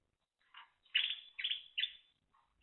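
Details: Timbrado canary singing, recorded in 2023: a short faint note, then three loud buzzy chirped phrases in quick succession, each sliding and fading, with a soft trailing note near the end.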